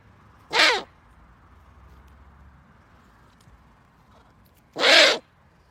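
An owl gives two harsh, raspy screeches, each under half a second, about four seconds apart, with only faint background hiss between them.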